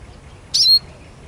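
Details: Eurasian siskin producing a single high, squeaky whistled note that wavers then flattens into a thin sustained ending, otherwise near-silent.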